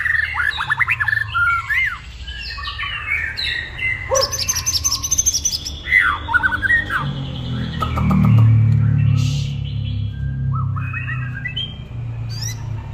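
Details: Energetic white-rumped shama song, a busy mix of sharp whistles, down-slurred sweeps and chattering notes, with a low rumbling background and a brief loud low noise near the middle.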